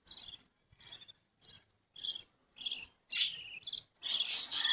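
Budgerigar giving a series of high, scratchy chirps that grow louder toward the end.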